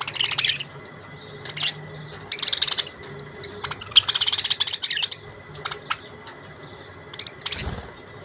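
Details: Budgerigars chirping: bursts of high, scratchy chirps and warbles come in clusters with short pauses, several birds calling loosely together, plus a faint steady hum underneath.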